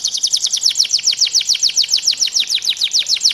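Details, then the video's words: Canary (Serinus canaria) singing a fast, high, even trill of bright chirping notes at about seven per second, sustained throughout. "canary bird song ♪ kanarya melodik olarak cıvıldıyor • канарейка мелодично щебечет"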